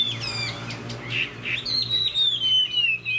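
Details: A caged Chinese hwamei, shown as a tail-flaring fighting bird, sings loud, varied whistled phrases under dark overcast weather, then one long clear whistle that glides slowly downward, over a faint low hum.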